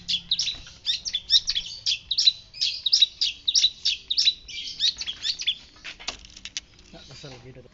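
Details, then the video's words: White-breasted shrike, called a sea shrike locally, singing energetically in a masteran tutor recording: a fast run of bright chirping notes, about three per second for five seconds, then softer scratchy notes and a brief low sound at the end. "Masteran, Pentet laut dada putih gacor pasti nyaut langsung"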